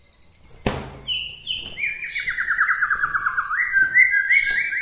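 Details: White-rumped shama from Bahorok near Medan, its song said to rouse other shamas; after a sharp click come clear whistles, then a long fast warbling trill that dips and rises again, topped by thin high notes.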